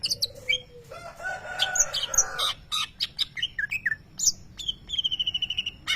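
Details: Greater green leafbird, a champion songbird at singing contests, mimicking a lovebird: sharp high chirps and slurred whistles, a buzzy harsh stretch in the middle, then a fast even trill of repeated notes at the end.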